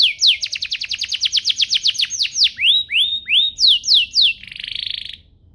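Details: Canary song used to prompt other canaries to sing: a fast series of about twenty descending high sweeps, then slower rising slurred notes and a few downward whistles, ending in a buzzy rattling trill.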